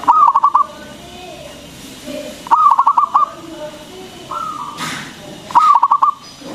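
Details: Zebra dove, local bird singing often and loudly, used as a lure for other doves; three bubbling phrases of fast staccato coos spaced about three seconds apart, with a smooth tone between.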